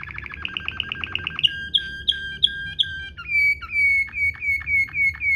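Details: Waterslager-style canary rolling song recorded as a tutor for canaries: a quick trill, four ringing whistled notes about a third of a second apart, then a series of sustained sliding whistles.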